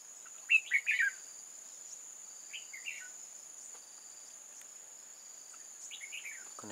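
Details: During bulbul trapping in old forest on 8 October 2018, a Red-whiskered bulbul gives three loud slurred notes near the start, a quieter phrase midway, and another warbled phrase at the end, with a constant high insect whine throughout.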